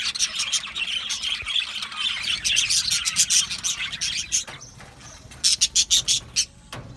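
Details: Australian budgies chattering in an aviary colony, dense twittering that thins midway, then a row of loud separate chirps roughly every fifth of a second.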